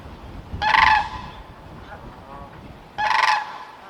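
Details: Sandhill crane calling: two loud, rolling, trumpeting rattles, each about half a second long and separated by roughly two seconds, with a quiet outdoor background.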